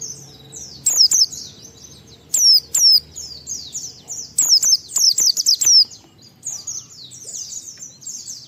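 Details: White-eye song aimed at provoking other white-eyes to start singing; soft high twittering interrupted by groups of loud, sharp falling whistles, a rapid string of five near the middle.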